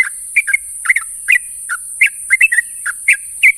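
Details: Yellow-vented bulbul calling to companions in the morning: short liquid chirps and paired slurred whistles spaced a few tenths of a second apart, over a continuous faint high hiss.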